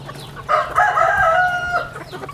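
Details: Chicken on a rural farm where chicks are kept: one loud, drawn-out, strained call held for over a second and tailing off, with faint peeps before and after and a low hum behind.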